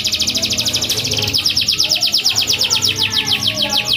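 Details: Vigorous canary singing meant to stir quiet canaries into song: a high, rapid, evenly pulsed trill held throughout, with several notes per second and faint background hum.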